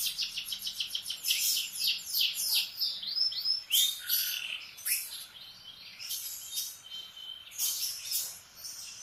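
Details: A canary in the morning pours out a fast, varied song of dense trills, slurred whistles and chattering notes in bursts over about nine seconds, with a quiet low hum behind.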